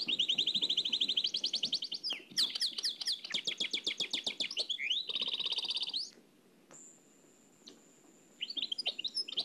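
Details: Trained nightingale singing in the Oued El Alleug song style, copied from an old cassette: a fast, even trill of repeated notes, then buzzy rattling phrases, a thin high whistle held for about two seconds, and a closing burst of chirps.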